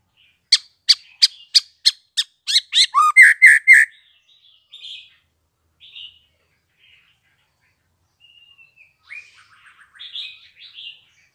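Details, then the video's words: Freshly fledged spotted white-rumped shama calling with a fast row of dry ticks that run into harsh buzzy notes, then scattered faint twitters and a brief soft warbling burst. "BARU LEPAS TROTOL cocok buat merangsang MURAI BATU Trotolan belajar Bunyi"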